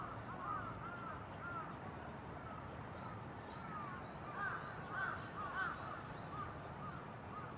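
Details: Carrion Crows, parents with chicks, on an overcast 24 April 2022: repeated short arched caws, hoarse and slightly rising then falling, in irregular bursts, growing louder near the fifth second, against a low steady rumble.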